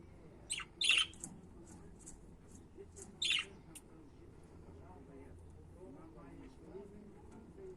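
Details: Pet budgerigars chirping: a quick cluster of harsh, scratchy chirps near the start, one more loud chirp about two seconds later, then quieter scattered twitters over a low background hum.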